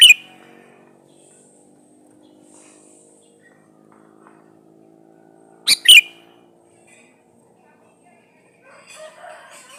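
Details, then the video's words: A male sooty-headed bulbul calls to a female, a recording meant to lure other bulbuls into replying. A single short, harsh, gurgling double note rings out midway, framed by a faint low drone and a quiet chirp. "suara burung KUTILANG jantan gacor memanggil betina"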